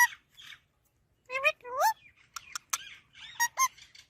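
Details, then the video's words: Parrot vocalizing in scattered bursts: gliding, rising harmonic whistles, sharp clicks and squawky, speech-like syllables separated by brief pauses. "Talking Parrot Natural Sounds"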